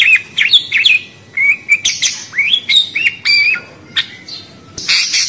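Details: Chirpy budgerigar notes: curved whistled squeaks, some rising sharply, others flat and buzzy, delivered in quick succession with a harsh scratchy burst at the end.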